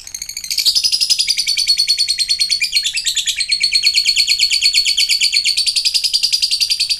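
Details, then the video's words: Long ngekek from a lovebird: an unbroken, high, rattling chatter of fast repeated buzzy notes that swells in loudness after the first half second and keeps an even pulse to the end. "ngetik ngekek panjang jadikan Lovebird macet aktif ngekek lagi"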